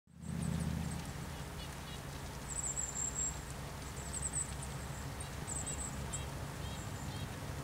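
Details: Golden-crowned kinglet giving very high, thin, ringing lisping notes in short clusters every second or so at Wolf Mountain Overlook, Blue Ridge Parkway near Asheville, North Carolina, USA, over a steady low rumble of wind or distant traffic.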